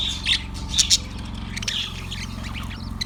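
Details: A yellow budgie chirps, February 18, 2024: a few sharp, bright squeaky notes in quick pairs, followed by softer murmured chatter, over a low constant hum.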